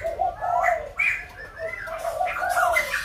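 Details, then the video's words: White-crested laughingthrush at Kbang singing continuous, bubbling low hoots that rise into louder phrases, mixed with upslurred whistles from other birds. "Khướu Đầu Bạc / Kbang / Bông Lau /Chim Bồ Chao /Hót Đỉnh Cao"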